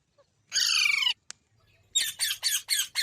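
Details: Green parrot, said to be talking, lets out one long, rough, buzzy screech, then a short click and a run of four or five harsh, clipped squawks in quick succession.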